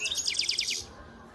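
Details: European goldfinch, a 2019 youngster from Antalya in Turkey, pouring out a dense, buzzy, rapidly repeated trill of bright high notes for under a second, then falling silent.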